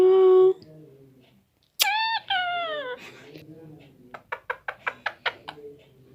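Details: Pet parrot, nine months and nineteen days old, talking in Hindi indoors: a steady voiced tone, then two rough, harmonic-rich syllables with falling pitch, followed by a run of sharp evenly spaced clicks in a small room.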